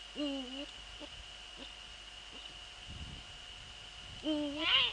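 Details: At 04:40 on 15 February 2013 in the Netherlands, a male Eurasian eagle-owl visits the female near the nest: two wavering harmonic calls at start and end, soft clicks between, and a constant high tone throughout.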